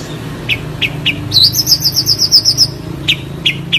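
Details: Long-tailed shrike in clear song: spaced sharp high chirps, then a rapid rolling trill of about a dozen bright warbled notes over a second, followed again by single high chirps, with a faint low rumble behind.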